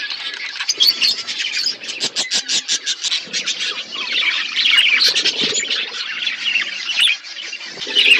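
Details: Budgerigars flocking over winter food: rapid clicking chirps repeated in quick pulses early on, then a dense chattering warble of many birds, with brief louder squeaks.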